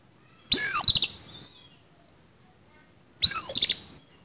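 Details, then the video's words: Fighting oriental magpie-robin with a harsh fill-in: two grating, stuttered bursts nearly three seconds apart, each led by a high whistle swooping down into rough, clicking rasps. "KACER TARUNG ISIAN KASAR"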